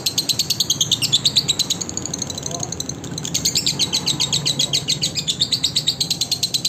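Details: Lovebird song for training other lovebirds: two runs of fast, high, squeaky trilled notes separated by a brief pause, with faint voices underneath.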